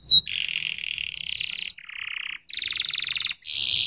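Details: Canary producing a chain of buzzy, rattling trills at different pitches, each lasting about a second, separated by brief pauses.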